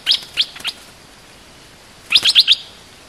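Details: Bulbul lure call used to provoke an aggressive territory holder: a quick cluster of three sharp high chirps, a pause of over a second, then four more fast bright chirps against steady faint hiss.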